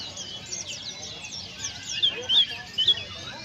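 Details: White-eye from Indonesia singing in a lively, filled-in style: quick high twitters running into several sharp, clear whistled upslurs near the end, with a steady hiss underneath.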